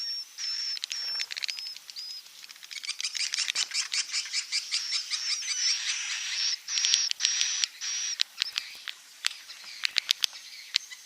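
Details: Swiftlet calls used to entice edible-nest swiftlets to build nests: short, high, whistled notes, then a busy stretch of rapid, clicking chirps and buzzy twitters from several birds, with scattered sharp clicks.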